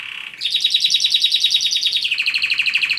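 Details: Canary song: a short soft note, then a fast, even trill of bright repeated notes, about eleven per second, that shifts slightly lower in pitch near the end. The setting sounds quiet and indoors.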